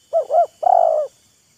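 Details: Wild spotted dove and decoy bird taunting and luring each other by voice: two round, evenly spaced coos followed by a longer, buzzy, purring coo that tails off.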